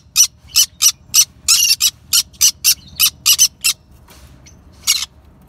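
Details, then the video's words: Yellow-sided conures chirping: a run of about a dozen harsh, broadband chirps at uneven intervals, then a pause and one final chirp. "Yellow sided conures chirping"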